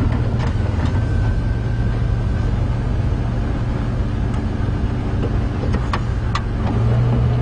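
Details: Loud vehicle engine drone with a steady low hum and no animal sound.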